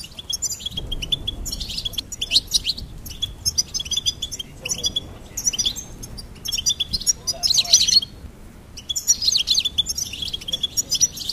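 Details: A goldfinch pours out a long, rambling song of fast, high twitters, tinkles and buzzy trills in repeated bursts separated by brief gaps.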